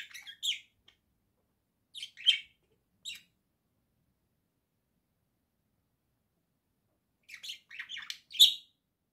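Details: Pet budgerigars from a home flock singing, October 2024: clusters of bright, scratchy chirps in short bursts, separated by a long silent gap.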